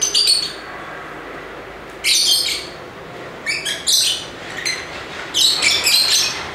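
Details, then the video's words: Lively lovebird chirping: bursts of harsh, buzzy, high chirps in three clusters separated by pauses of about a second, over a steady background hiss. "Ramai Kicauan Lovebird (Lovebirds Sounds)"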